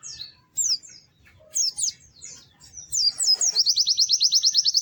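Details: Lively white-eye song: high sweeping whistles and chirps separated by short pauses, ending in a long, even, rapid trill of repeated bright notes.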